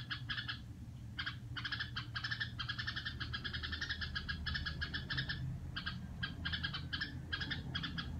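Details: A red-whiskered bulbul, apparently a kept bird whose owner wonders whether it is doing its "rò" song, gives bright, chattering notes in quick bursts and pauses, over a steady low background hum.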